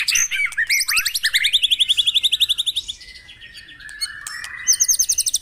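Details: Morning lure song of the White-rumped shama for prompting caged birds to sing: a loud, quick series of about twenty evenly pulsed notes gliding slowly downward, a softer pause, then another high rapid trill.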